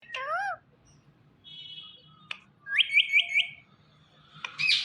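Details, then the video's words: Indian ringneck parrot calling "Mithu Mithu": a loud harmonic wavering note, then a quieter steady tone, a fast run of four rising notes, and a harsh burst at the end, with gaps of near silence. "Ringneck Parrot Sounds Mithu Mithu"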